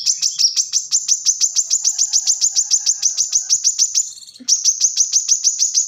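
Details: Plain-throated sunbird used as a training master, pouring out a fast, steady trill of high, sharp ticking notes, broken by one brief pause before the run resumes.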